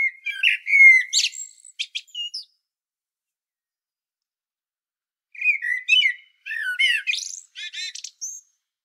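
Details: Blackbird singing on Sljeme, Medvednica Mountain, Croatia: two phrases of flute-like whistles broken by squeaky high twitters, the second phrase ending in rapid thin chips, with a quiet gap of nearly three seconds between.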